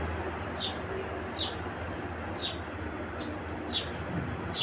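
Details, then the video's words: Sharp single chirps from a house sparrow, six of them spaced roughly one second apart, with a constant low background rumble. "Sparrow Birds Gauraiya Chidiya"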